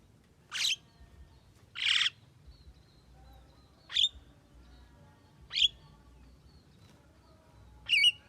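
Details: Javan myna, said to be able to talk, giving five short separate calls about every 1.5 seconds: first two broad harsh bursts, then sharp rising whistled notes, over a quiet low hum.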